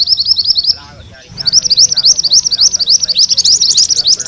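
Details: Yellow mantenan in energetic rolling song, compiled as tutor material for training magpie-robins: rapid high chattering notes in a continuous roll, briefly broken near one second, with faint lower warbles in the background.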